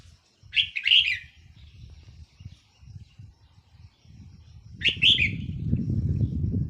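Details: Two short rich warbled phrases from a decoy red-whiskered bulbul on 4 May 2023, spaced about four seconds apart, with low rustling and rumbling noise rising toward the end.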